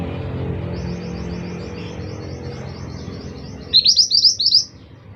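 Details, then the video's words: Scarlet minivet, locally called mantenan, singing actively: after a faint run of fast, thin high notes, a loud burst of four sharply rising whistled notes near the end, over low background hum. "burung mantenan gacor"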